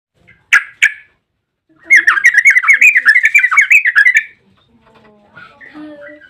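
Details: Yellow-vented bulbul in a long rapid 'ropel panjang' song used as a lure to make other bulbuls sing: two sharp opening notes, a pause, then a dense chattering run of bubbly notes for about two seconds before fading.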